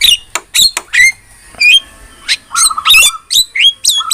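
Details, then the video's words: Javan myna singing actively, used as a tutor recording for songbirds: a burst of harsh squawks mixed with short rising whistles and thin high notes, delivered in quick uneven phrases with brief pauses. "MASTERAN JALAK KEBO GACOR"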